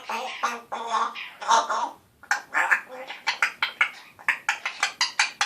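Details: One-year-old African grey parrot mimicking speech and a raspberry: a few rough speech-like syllables, then a rapid regular string of sharp clicking, sputtering pulses.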